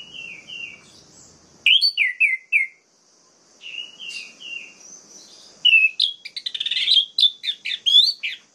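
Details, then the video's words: Orange-headed thrush song for provoking rival males: short groups of falling whistles separated by pauses, building into a long varied run of rapid mimicking notes and trills. "PUTARKAN INI 1 MENIT SAJA‼️ DIJAMIN ANIS MERAH LAIN LANGSUNG MENGAMUK"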